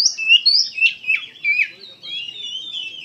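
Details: Gacor Oriental magpie-robin song full of emotion: loud slurred whistles sliding up and down, then a softer, more sustained warbling phrase toward the end.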